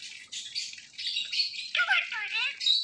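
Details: Indian ringneck parakeet imitating speech, with raspy high chattering syllables followed by a run of clearer whistled notes that dip and rise, in a quiet indoor setting.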